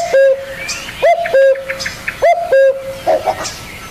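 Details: Spotted dove cooing in paired notes, a quick upward hook followed by an even sustained tone, three pairs in close succession with soft background bird chirps.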